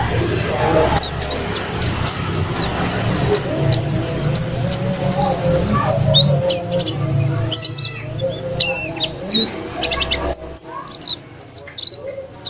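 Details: White-eye newly kept at home, in full vigorous song after three days following daytime sunning: fast runs of sharp high chirps and sliding notes, tumbling and uneven, with low background rumble and some faint music.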